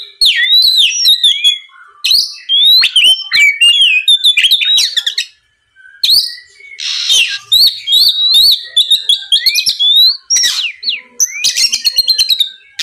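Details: Oriental magpie-robin in full song, played to lure and provoke a rival into replying: fast, varied phrases of clear whistles, twangy down-slurred notes and harsh rasping bursts, with one short silent gap midway.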